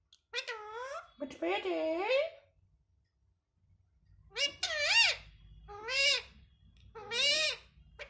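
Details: Pet parrot speaking Hindi, saying it wants roti and calling for mummy: a quick run of arched, nasal, speech-like syllables, a pause, then three more rising-falling words with faint low background rumble.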